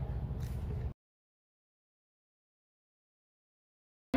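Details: A short low rumble gives way to near silence, ending with a brief burst of noise, with no animal sound.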